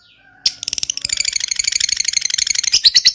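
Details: Lovebird fighter giving long ngekek, a lure for silent lovebirds: after a brief quiet start, a sudden burst breaks into dense, fast, buzzy chattering that stays unbroken to the end.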